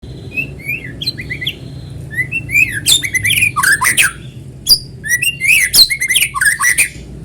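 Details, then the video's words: White-rumped shama (murai batu) in vigorous natural song, used as a lure to make other shamas sing: rapid varied phrases of rising whistles mixed with sharp, harsh, high chattering notes, delivered in dense bursts with short pauses. "PANCINGAN BURUNG MURAI GACOR SUARA ALAMI BIKIN MURAI BATU IKUT BUNYI"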